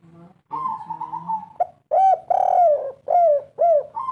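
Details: A local 'kuk 3' spotted dove gives one cooing phrase: a long wavering opening note, then four short, arched, hollow coos in steady succession.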